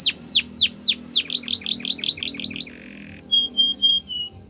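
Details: Training song from a Spanish Timbrado canary: a run of falling whistled notes about three per second, a short low buzzy tone, a pause, then a few short clear high piping notes.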